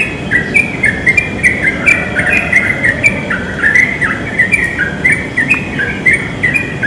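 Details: Continuous fluty chatter from wild yellow-vented bulbuls in a pine tree, notes bouncing up and down in quick bursts, with constant background rushing.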